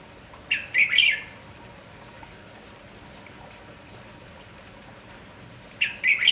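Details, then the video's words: Red-whiskered bulbul, a lively village-type bird, singing in the morning: two quick bursts of bright, chirpy warbled notes, a pause of several seconds, then another short cheerful phrase, over a steady hiss of background noise. "MERBAH JAMBUL KAMPONG GALAK TAK HENTI BERBUNYI"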